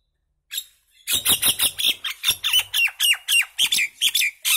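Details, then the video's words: Common myna (Indian maina) singing: after a short opening note, a run of harsh, downslurred squawky notes follows at about four per second, bright and loud, with no other sounds. "Common myna bird song | Indian maina sound | mynah singing"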